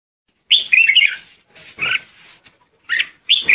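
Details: Red-whiskered bulbul acting as a lure bird, singing to call its flock: a bright warbled phrase, then short clear chirped notes separated by pauses, all high and loud against a quiet background.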